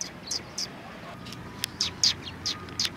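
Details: High, sharp sparrow chirps at a Tenmangu shrine, a few early and then a rapid run of about six in the last half, over faint low rumble and a thin steady tone.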